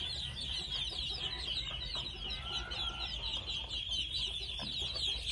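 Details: Continuous shrill cheeping from a group of two-month-old red junglefowl chicks, the short downslurred notes packed closely together over a low background rumble.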